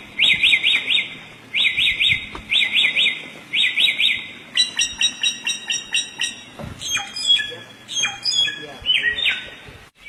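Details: Samyong singing energetically in captivity: several fast, high rippling trills of looping notes, then a varied run of sharp chips, whistles and rising slurred notes.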